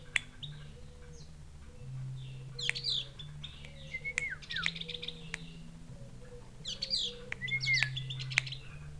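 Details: Javan grey-throated white-eye from Mount Wilis, Java: high, thin chirps and sharp down-slurred notes in quick bursts, likened to a chick calling its mother, over a steady low droning hum.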